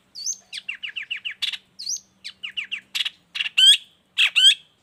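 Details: Long-tailed shrike singing, suitable for tutoring and baiting other shrikes: a looping whistle, then a quick string of five matching downslurred notes, repeated, then harsh bursts and loud ladder-like rising trills.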